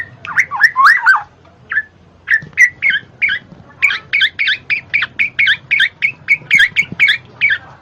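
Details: Black-naped oriole, played to stimulate lazy cage birds to sing. Harsh, squawky notes open the clip, then short, slurred, mid-pitched notes repeat about three times a second after a brief pause.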